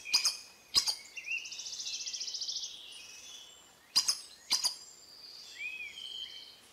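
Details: Costa Rican collared aracari giving sharp, piercing doubled squeaks, one pair at the start and another about three seconds later, over a steady buzzy insect trill and a few soft whistles.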